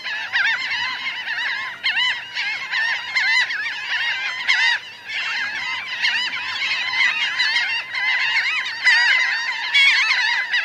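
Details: Massed calling from a large laughing gull flock, about 1000 birds both standing and flying, captured close: many overlapping short, nasal, laughing notes stack into a constant uneven chatter with brief louder surges.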